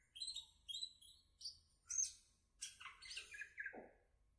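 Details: Greater green leafbird giving a varied song of high sharp notes and descending chattering phrases, quieter, with a low hum beneath.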